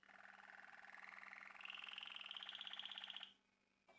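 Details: Malinois Waterslager canary, a male, delivering a long rolling trill that climbs steadily in pitch for about three seconds before stopping abruptly, followed by a brief quiet moment.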